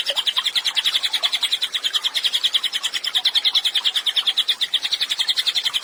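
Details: Cililin in full song for songbird training: fast, repeated high chips strung into a continuous chatter at about three notes a second, with a slightly lower note at the start, no other sounds standing out.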